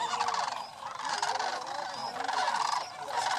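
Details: Sandhill crane flock on Paynes Prairie State Preserve near Gainesville during yearly migration; overlapping guttural, rolling rattles pulse in two loud bursts separated by a slightly quieter dip.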